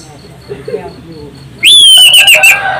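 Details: Orange-headed thrush singing loudly, used as a lure to prompt other birds to sing: one long, shrill whistled phrase that starts high and slides gradually downward, after a quieter stretch of faint background chirps.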